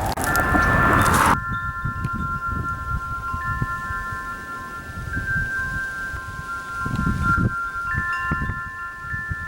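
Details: Metallic wind chimes ring in long, sustained overlapping tones over a low background rumble, with a loud burst of noise at the very start.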